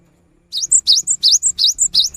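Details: Persistent cinereous tit (gelatik batu) song for coaxing non-singing birds: a fast run of six bright phrases, each a high upswept whistle followed by a thinner higher note, repeated about three times a second.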